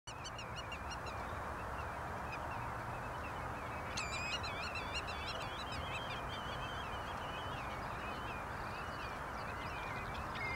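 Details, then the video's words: Several black-tailed godwits (Limosa limosa) calling at Bergerden greenhouse area, Gelderland, Netherlands, 24 March 2011: rapid, nasal, repeated calls overlapping at a fast pace, over a steady low rumble of wind or distant traffic. "Vogelgeluid / Birdsounds Grutto - Limosa limosa"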